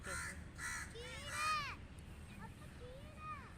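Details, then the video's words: Crow calling with two or three hoarse caws close together, then voices speaking for the rest of the moment. "Crow Calling | Crow Cawing"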